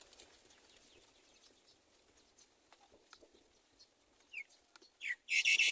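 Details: Baby myna chicks in the nest, waiting for their mother to feed them, give loud, harsh, raspy hissing bursts, rising in the last second after a brief squeal, over faint background chirping.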